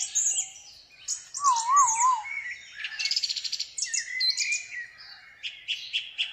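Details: A pet ringneck parakeet outdoors gives a quick, varied string of shrill chirps, wavering whistles and a harsh buzzy burst, with no clear words and no other sounds.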